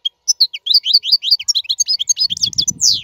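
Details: European goldfinch singing, a clean free-bird song used to teach caged young birds: rapid chattering twitters in a continuous run ending in a descending slur, with a low murmur near the end.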